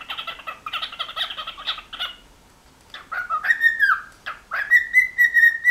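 A cockatiel gives a burst of rapid, harsh chattering notes, then after a brief pause switches to loud, drawn-out whistles that rise and hold steady.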